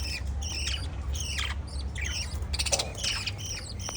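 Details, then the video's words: Lovebirds chirping: rapid, high, harsh squawking chirps in dense overlapping bursts, several birds calling together, over a steady low hum. "Love Birds Chirping sound"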